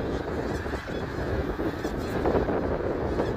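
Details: Massed snow geese calling at Middle Creek Wildlife Area on 3 March 2022, many overlapping honks merging into a loud, even roar, with some wind noise low in the mix.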